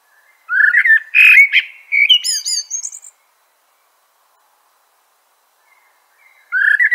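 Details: Common blackbird (Turdus merula): a loud, rich fluted phrase dropping into a sharp run of high, squeaky chirping notes, then silence until a new low warble starts.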